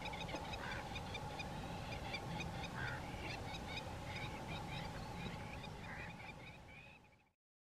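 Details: A nesting pair of crowned lapwings chasing and attacking a pied crow near their nest: distant rapid shrill repeated notes, about four a second, over a steady hum and background noise.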